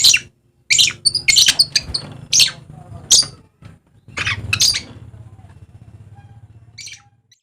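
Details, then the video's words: Dusky lory, a bird of Papua in eastern Indonesia, giving harsh, loud squawking calls in short bursts with gaps between them, a final squawk near the end, and low background hum. "BURUNG DUSKY INI BURUNG LOVE BIRD NYA PAPUA"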